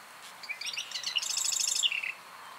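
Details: A single marsh wren song from the wetlands of North America: a few scattered thin introductory notes, then a rapid, sputtering mechanical trill that quickens and ends in a short buzzy rattle.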